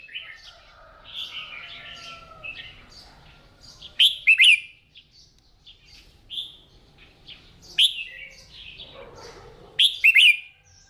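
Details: Morning voice-training session for a kept red-whiskered bulbul, meant to spur a timid bird into singing. Three brief bright slurred phrases ring out over a continuous bed of softer chirps and twitters.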